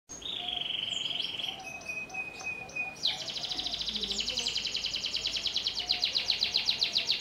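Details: Belgian canary singing at length: a steady whistled tone, then lower held notes, breaking into a long rapid pulsing high trill, over a faint background hiss.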